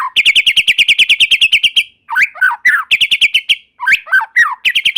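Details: Lively white-rumped shama song meant to set off other shamas: a long fast pulsed trill, then slurred whistled flourishes alternating with shorter trill bursts.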